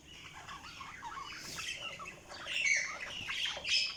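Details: Budgerigars chirping: a busy stream of short warbled and scratchy chirps with brief squawks, irregular and overlapping, louder toward the end.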